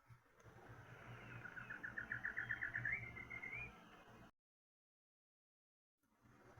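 Least Nighthawk: a quick series of about a dozen clipped notes speeding up and rising, ending in a short high trill, over a low background rumble.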